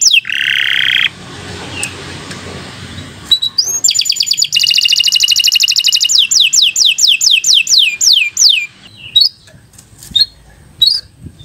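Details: Canary song for tutoring young birds: a short buzzy burst, a stretch of low rumbling background noise, then a rapid trill and a run of descending sweeps trailing into scattered notes.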